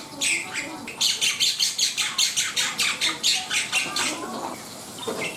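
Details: Black-winged myna singing vigorously, a fast train of harsh, rasping chatter notes repeated at an even pace of roughly three per second, with a steady faint hum in the background.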